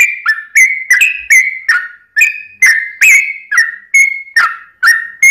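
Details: Sooty-headed bulbul giving its long rolling song as bait for other singers: brisk repeated whistled phrases with hard clicks at each start, a short pause just after two seconds, then the run continues.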